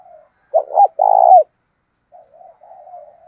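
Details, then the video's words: Spotted dove kept as a decoy, cooing to provoke fighting in wild style: a double clipped note and one long, buzzy, vibrating coo falling at the end, followed by quiet murmured low notes. "tiếng chim cu gáy thúc đấu chuẩn tiếng cu rừng gáy"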